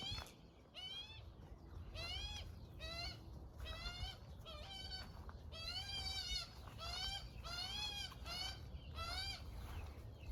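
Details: A baby Australian magpie spending the morning with its mother, being fed by her, gives nasal, wavering begging squawks, about one every second, over a low rumble of background noise.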